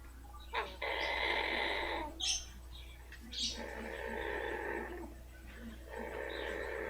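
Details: Pet female blue-fronted amazon purring with pleasure as her rump is rubbed: long buzzy, harmonic-rich purrs in three stretches, separated by two short breathy snorts near the middle, over a steady low indoor hum.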